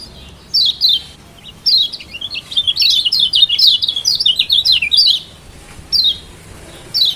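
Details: Lombok mountain white-eye 'ciak' song used to stir an unwilling bird into singing: a few high chirps, then a quick continuous twittering series of slurred notes, ending with spaced single calls.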